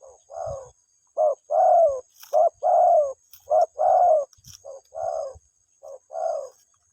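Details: Spotted dove cooing to its mate: low, rounded notes in short-then-long pairs, spaced by brief pauses, with a few soft clicks and a thin steady background hum.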